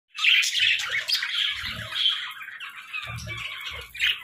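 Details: Parakeets chirping in the morning: a dense, continuous stream of bright squawky chatter and short twittering notes from several birds, with a few soft low thumps in the background.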